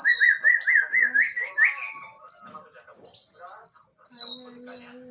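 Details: A male white-rumped shama gives a quick warbled trill of repeated notes, then high whistled sweeps; after a brief gap, a rapid buzzy trill follows, then downslurred whistles over a low steady tone.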